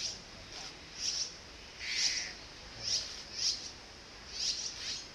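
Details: Azure-winged magpie chicks near fledging, excited as parents return with food after a long wait; high thin squeaky begging notes in irregular bursts, some with downward slurs, over steady background hiss.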